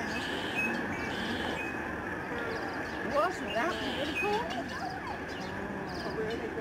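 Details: Huge flocks of snow geese flying and swirling down from the sky at a migratory bird sanctuary in Delta, British Columbia, Canada, on 24 March 2011. Short overlapping honks rise and fall in a busy chorus over steady background noise, with people talking nearby.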